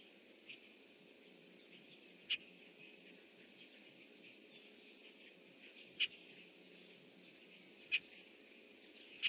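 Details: From its nest tree, a red-winged blackbird calls out at about 07:08 on 25 June 2014: brief, clipped chips spaced irregularly, four clear ones across nine seconds after a faint first note, against low constant background hiss.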